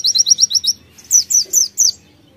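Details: Energetic white-eye song with konin fill-ins: a quick run of six high sharp chirps, then four louder, slower downslurred notes, all high-pitched and clean.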